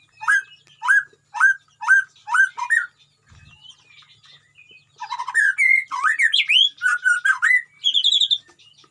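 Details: Captive murai batu in a colony cage repeating a short upswept whistle six times at even spacing, a quiet pause, then a rich jumble of varied whistles, slurs and high notes.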